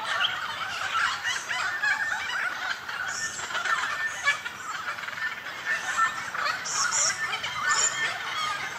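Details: A dense, harsh, cackling chorus of dozens of noisy friarbirds, with raucous overlapping phrases continuing without pause, in nectar-rich bush in the Goldfields near Whroo, Victoria, Australia. The chorus is loud enough to drown out other birds.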